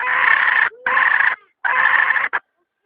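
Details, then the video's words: Hen calling in long, harsh, nasal squawks: two drawn-out notes close together, a pause, then a third long note ending in a clipped short one. "Suab poj qaib seev zoo heev"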